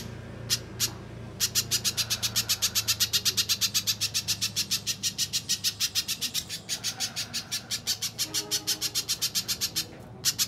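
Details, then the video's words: Gacor song of a little spiderhunter, used as a lure and as tutoring for contest birds. Two isolated high chips open a rapid, insistent train of piercing notes that briefly falters midway, then presses on to the end. "Pijantung Pisang Gacor, Masteran Burung Lomba"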